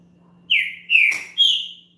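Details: Champion green-winged saltator singing to warm up another bird: three ringing whistled phrases about half a second apart, the last highest, with a brief click in the middle.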